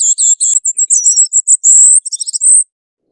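A Ferruginous flycatcher gives a quick run of very high, thin, twittering notes, some slurred and some trilled, lasting under three seconds. No other sounds are heard.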